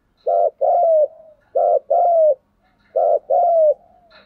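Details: Spotted dove kept as a decoy bird, cooing in the vigorous thúc gù style with a thổ đồng voice: three low coo phrases about 1.3 seconds apart, each a short note followed by a longer, slightly falling hooted note; no other sounds.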